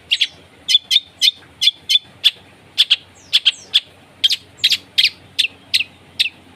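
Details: Long-tailed shrike pouring out harsh, piercing chips in quick pairs and singles, steady and regular, a harsh-material lure for a shrike that has gone quiet.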